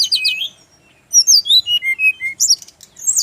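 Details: Brown-chested jungle flycatcher in Bali, song said to make others reply at once: quick high warbled notes, a pause, then loud clear whistles stepping downward one after another, ending with sharp high chirps.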